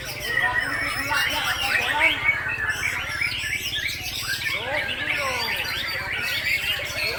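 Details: Breeding parent white-rumped shama in captivity, singing without a break. Long stream of varied whistles, quick twittering runs and swooping slurred notes, steady in loudness, over a soft low background rumble.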